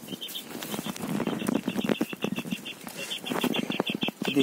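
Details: Quails, shown in their current condition, give a rapid run of short, high chirps that repeats through the whole stretch over a low, rumbling background with scattered clatter.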